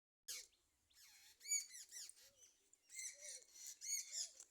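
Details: Sparrow chirping in the morning: bursts of short, high, bright chirps and tweets, some with a faint lower warble, coming in quick clusters separated by brief pauses.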